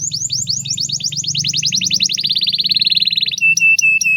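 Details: A canary delivers tutor song for young birds: quick rising-and-falling trilled notes speeding into a fast, lower rattle, finishing with a few steady whistled tones.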